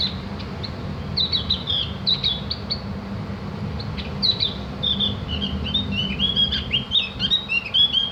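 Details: Javan grey-throated white-eye, locally opior jawa or cak gentong, in master audio meant to make birds chatter (ngriwik) and sing. Bright high chirps and squeaky twittering in quick bursts, growing busier toward the end, over a steady low hum.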